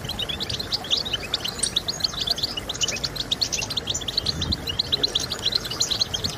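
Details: European goldfinch song to motivate birds: crowded high twitters and quick trilled chirps in an energetic, continuous run, with faint low rumble beneath.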